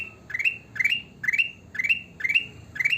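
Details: Repeated rising chirps from a sooty-headed bulbul, six in three seconds, each a quick stepped upward sweep ending on a sustained higher tone, with soft low background rumble.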